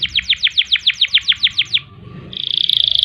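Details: Canary giving a ngerol and ngerek style song for training other birds: about twelve evenly spaced downslurred notes, a short gap, then a steady buzzy trill.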